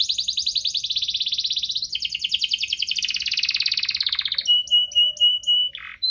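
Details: Gacor canary singing as a lure for quiet canaries: long rapid buzzy trills shifting pitch, ending in a steady thin whistle with short chipping notes above it.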